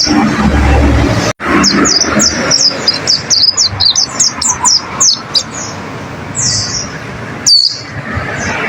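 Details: Training song (masteran) of a white-eye (pleci) for caged birds: after a brief cut, a quick run of short, high downslurred chirps, then a couple of louder separate whistled notes near the end.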